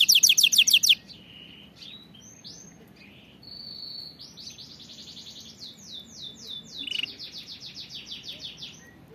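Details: Canary song for training canaries to sing properly; opens with a fast loud rattling trill, then varied pure whistles and long rolling trills of repeated rising notes.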